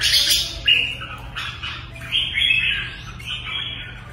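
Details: Caged red-whiskered bulbul in singing form, pouring out quick chattering and whistled notes. A sharp high burst opens the phrases, followed by longer fluty slurs. Low hum is faint.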